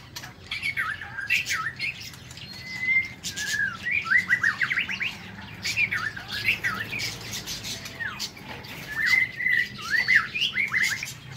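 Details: Morning song of a White-rumped shama kept in an aviary: repeated bursts of whistled, slurred notes and quick warbles, somewhat softer, over background clicks and rustle.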